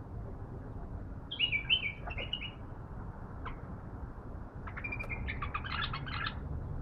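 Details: Bulbul, a young caged bird not yet fully trained, reacting to a visiting wild bulbul: a short warbled phrase early, scattered clicks, then a burst of quick chattering notes near the end over steady low rumble.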